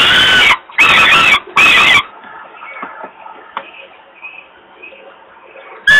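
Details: Hungry young falcon in Włocławek, Poland, crying for food as its father brings prey, 27 May 2022 at 20:06; three loud, harsh, drawn-out wails in the first two seconds, then faint scratchy chatter, with another wail starting at the end.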